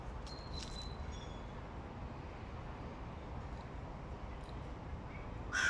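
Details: A young male hooded crow whose voice is breaking, in August 2022, gives brief, strained, squeaky calls that crack instead of cawing cleanly, over a steady low rumble of wind or distant traffic.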